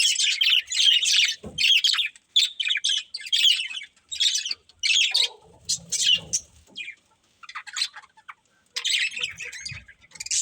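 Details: A family of pet budgerigars chirping in bursts of bright, high chatter, with short scratchy phrases separated by brief pauses and one low thump.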